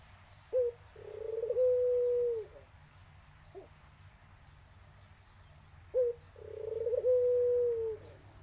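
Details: Barbary dove of the irak/tangerine type, its melodious voice used as a lure to get a silent dove calling: two coos, each a short clipped note then a long rolling, steady coo, with a lone short note between them.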